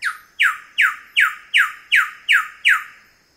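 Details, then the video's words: Wilson's bird-of-paradise calling at close range: eight loud, harsh downslurred notes, each sliding from high to lower pitch and fading, repeated steadily about every 0.4 seconds, with a faint steady tone behind. "Wilson's Bird Of Paradise. CU Calls"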